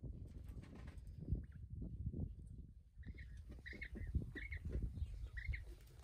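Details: Kept quails heard without human noise: after a quiet start, a string of short, soft chirps comes in about every half second from the third second on, over steady low rustling and scratching from the birds moving about.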